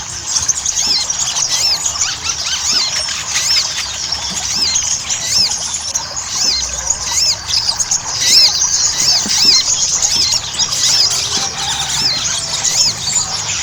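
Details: Ruby-cheeked sunbird song for drawing out song in other birds: busy, high-pitched twittering with repeated curled squeaks, loosely spaced and unbroken for the whole stretch.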